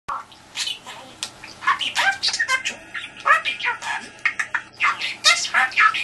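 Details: Pet budgerigar indoors trying to elicit a response from the telephone: rapid warbling chatter of squeaky chirps, clicks and short rising notes, packed densely and continuous, in a quiet small room.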